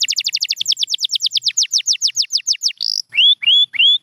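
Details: Training song of a champion canary: a fast trill of falling notes gradually slows, then a short buzzy burst follows, ending with three loud rising whistles.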